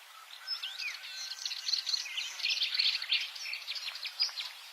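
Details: Subalpine warbler singing a fast, dense warble of scratchy, twittering high notes and brief whistled slurs, running continuously for nearly five seconds over light hiss.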